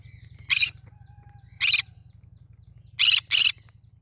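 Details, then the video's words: Cinnamon green-cheeked conure calling: four short, harsh, raspy squawks, the last two close together as a pair, over a steady low hum. "Green cheek conure : Chinnamon conure singing to day so funny."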